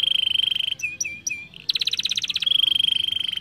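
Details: Young canary song used to stimulate singing and rolling: a steady pure trill, a few short slurred notes, then a fast buzzy roll of rapidly repeated notes, returning to the even trill, with low background hum.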